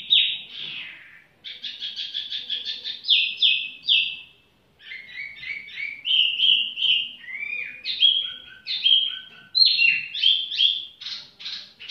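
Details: Tiểu mi bird singing leisurely: a long, varied run of bright chirps, rapid trilled bursts and sliding whistled notes, with a short pause near the middle and another before the final phrases.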